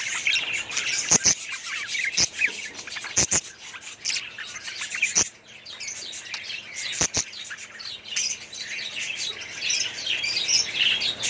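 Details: Budgerigar colony in an aviary chattering, many birds at once giving dense overlapping chirps and warbles with sharp clicks scattered throughout, busy continuous flock noise.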